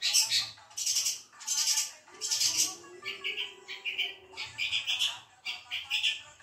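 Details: Caged pet long-tailed shrike singing: loud, harsh, buzzy bursts roughly every 0.7 seconds, then a run of shorter, clearer whistled notes at a slightly lower pitch, with a faint low hum underneath.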